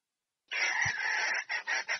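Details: Female red junglefowl summoning the male for mating: a sustained harsh squawking note lasting about a second, followed by three shorter rasping pulses.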